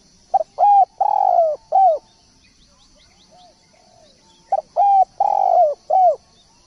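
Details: Actively singing spotted dove gives two cooing phrases separated by a pause of about two and a half seconds, each a stutter, level coo, long falling rolled coo and curved end note; soft high chirps from other birds between.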